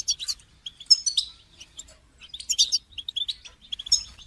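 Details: European goldfinch calling to motivate a caged goldfinch: quick series of tinkling chirps and short whistled notes, delivered in tight groups with brief gaps, clean and bright.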